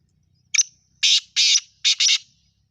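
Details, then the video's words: Call of a black francolin, used to set a pet francolin calling: a brief sharp note, then a pair of long grating notes and a final close pair, loud and rasping against silence. "اگر آپ کا تیتر نئیں بول رہا تو یہ آواز سنائیں۔ Kala Teetar ko Bulany wali Awaaz"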